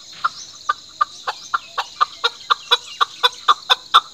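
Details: Chukar giving a steady series of sharp, clucking chuck notes, about two per second. The notes grow louder and more emphatic toward the end over a constant high-pitched hiss.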